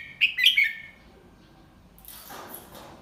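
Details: Single short warbled phrase from a Red-whiskered bulbul singing the 'double-3' tutor song for young birds, bright and liquid, followed by a soft rustling hiss.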